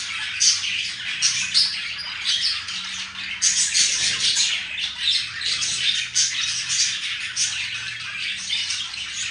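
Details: Budgerigar pair displaying affection, keeping up a scratchy, squawky warble of quick chirps and harsh notes, with a faint low hum underneath.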